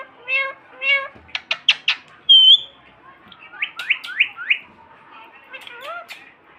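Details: Parrot in Sindh talking: two short voiced words, a burst of clicks, a thin whistled note, then four quick rising chirps and a final wavering word-like sound.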